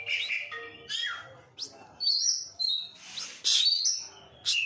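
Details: Oriental magpie-robin singing vigorously in the fast style called konslet: loud bursts of bright whistles, rising slurs and harsh chattering notes, each burst under a second, separated by short pauses, with a faint low hum underneath.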